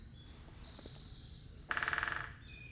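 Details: A woodpecker drums in a breezy morning wild garlic wood near a stream: a half-second burst of about a dozen rapid, sharp pulses, with thin high whistles from other birds and a steady outdoor hiss.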